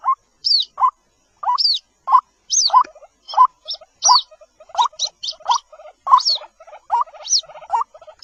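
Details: Calls of a White-breasted waterhen chick (jal murgi): thin, high, falling peeps paired with shorter lower notes, repeated roughly every half second in an uneven, chattering sequence.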